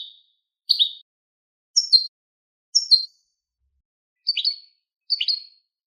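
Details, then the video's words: A goldfinch × linnet hybrid gives short, bright, high, tinkling twittering phrases about once a second with clean silences between them, a song meant to encourage other birds to sing. "تبتبيت لتحفيز الطيور على التغريد"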